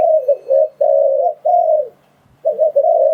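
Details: Decoy call of a spotted dove, played to attract wild doves into traps: soft, steady coos, a doubled note followed by two long, slightly falling notes, then a pause and another run of coos.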